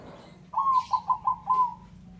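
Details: A male zebra dove (Bangkok perkutut) gives a soft, rolling coo of five quick notes near one pitch, the last drawn out, over a low steady hum.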